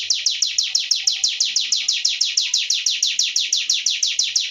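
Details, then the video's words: Sunda warbler delivering a steady run of high, sharp downslurred notes, about six per second, evenly spaced and continuous throughout, with no other clear sounds. "cingun gacor bremm"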